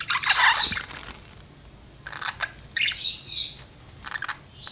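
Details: Budgerigar kept as a pet chirping, with a bright chattering burst at the start followed by short squeaky notes and a higher warble, all separated by brief quiet gaps.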